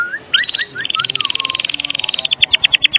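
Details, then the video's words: Medan white-rumped shama in vigorous kretekan song used as a lure: a few rising whistles lead into a fast high rattle that slows into sharp, evenly spaced chipping notes. "Kretekan MURAI BATU MEDAN GACOR FULL ISIAN 100% AMPUH buat Pancingan murai batu agar bunyi"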